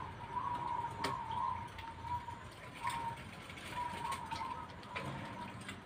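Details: Zebra dove cooing faintly in repeated short, trilled phrases at a steady mid pitch, partly masked by a constant background rumble like distant traffic, with scattered clicks.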